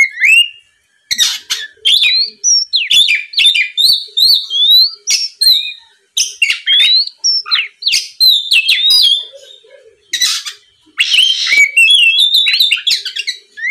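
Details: Long, varied Oriental magpie-robin song meant to provoke a rival, with dense sequences of rising and falling whistles, sharp chips and scratchy bursts, and only short breaks.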